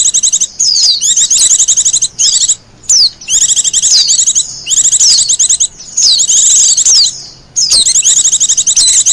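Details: High-pitched song of a wild Japanese white-eye, used as lure and master song, with dense chattering trills and quick descending whistles grouped into bursts about one to two seconds long.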